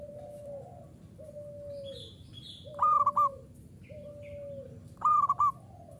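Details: Zebra dove of a local Indonesian strain in full song, ngayer style: two bright stuttering coo phrases of rapid pulsed notes, separated by softer, lower, sliding coos, plus faint high chirping from other birds in the background.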